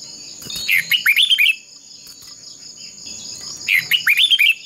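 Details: Red-whiskered bulbul decoy in contest song for voice training: two lively warbled phrases of curling whistled notes separated by a quiet gap, backed by a continuous high-pitched insect-like drone.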